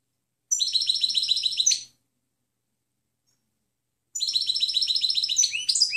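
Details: European goldfinch singing a clean training song meant for teaching other birds: two bright, rapid twittering bursts of about a second and a half each, high tinkling notes repeated quickly, separated by silence.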